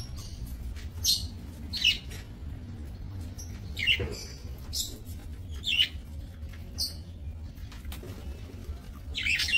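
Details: Budgerigars kept for breeding in a small minimalist aviary, recorded 28 November 2024; scattered short high chirps every second or two over a steady low hum.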